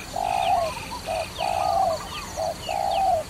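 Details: Clear, close dove coos during trapping, long level mellow notes alternating with short ones, about three phrases, with a fainter higher rippling call and a few high chirps.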